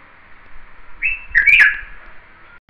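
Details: Red-vented bulbul giving a short two-part call: a brief rising note, then a louder, slurred, chirpy phrase, heard once over a faint background hiss.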